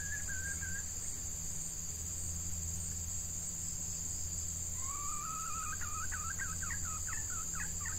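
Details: Female red junglefowl kept as a decoy to lure wild males, in hot breeding-season weather: a brief faint note, then after a pause a rising, warbling run of quick notes. Insects buzz steadily high above throughout.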